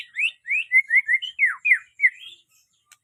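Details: White-rumped shama song of loud, sweet whistled notes, each sliding up or down, delivered in a fast, irregular string with short gaps, ending abruptly.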